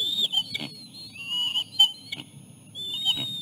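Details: Osprey at the nest during a fish feeding of the chicks; wavering whistled notes that slide down and up, broken by short clicks, over low background hum.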